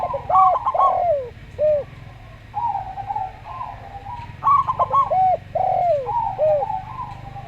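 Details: Local zebra dove cooing slowly: bursts of quick stacked hooked notes give way to longer drooping coos, repeated in two phrases several seconds apart, with a constant low hum.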